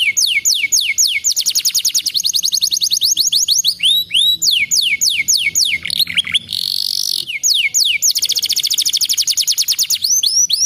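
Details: Canary song meant to prompt a canary that has stopped singing: fast high rolling trills of steeply falling whistled notes, repeated in long runs with brief changes of tempo and a short buzzy burst near the middle.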